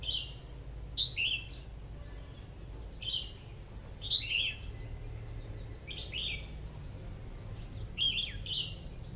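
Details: Caged red-whiskered bulbul kept as a decoy bird, one of two offered together, singing short bright whistled phrases that rise and fall, repeated every one to two seconds with brief pauses, over a faint low background hum.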